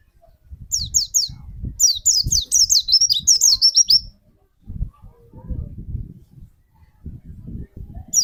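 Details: A white-eye kept as a lure to set off another bird's singing pours out a fast, high warbling chatter of looping notes, while low rumbling noise and knocks run underneath.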